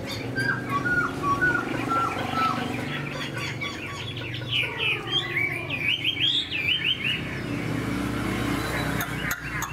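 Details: A wild-caught older caged Chinese hwamei, large-bodied and only about 80–85% tamed, sings loud, varied whistled phrases of rapid slurred notes rising and falling between mid and high pitch, over a low background hum.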